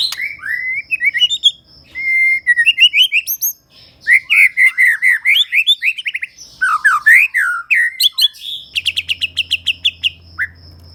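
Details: Varied song of a Medan white-rumped shama: sweet whistled slurs, fast repeated chirping sequences, a short pause, then a quick series of high ringing notes over a low steady hum.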